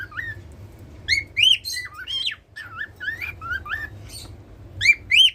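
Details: A pet cockatiel that sings each day produces chirpy whistled phrases: quick up-and-down slurred notes in uneven groups. Two louder rising whistles close the phrase, over a soft background hum.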